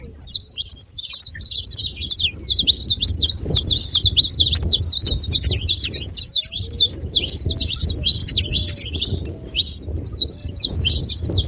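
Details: Continuous high twittering and sharp chip notes of saffron finch run for the whole stretch over a low background rumble.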